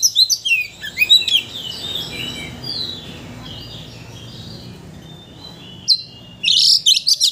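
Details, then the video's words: Oriental magpie-robin song serving as a lure to excite a bird into performing its repertoire; warbled high phrases at the start, a long soft gap, then a loud burst of harsh chattering notes near the end. "Pancingan Kacer Untuk Menaikkan Emosi Agar Mau Bongkar Isian"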